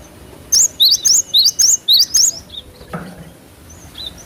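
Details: Cinereous tit in vigorous song, a natural recording meant to prompt quick responses in cage birds: seven loud, high, rising-falling notes delivered rapidly, then quiet with faint distant chirps.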